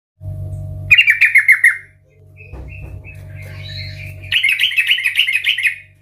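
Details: Yellow-vented bulbul singing loudly in the chatty ngeplong style, used as a lure to get other bulbuls singing: a rapid bubbling warbled phrase, a pause with soft notes, then another fast burst, over a low intermittent rumble.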